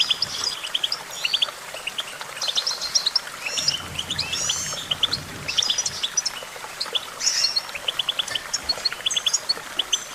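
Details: Goldfinch song used for song training: a continuous twittering of quick bright chirps and short trills, with a few drawn-out buzzy notes, over a soft low hum.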